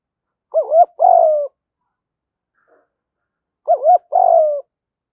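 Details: Male and female spotted doves calling to excite training birds; two identical phrases, each a doubled rising note then a drawn-out descending coo, about three seconds apart in silence.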